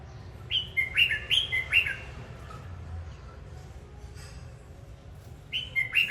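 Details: A singing, dancing red-whiskered bulbul gives a lively run of five swooping whistled notes, falls quiet for about three seconds over a faint low drone, then starts another short warbled phrase.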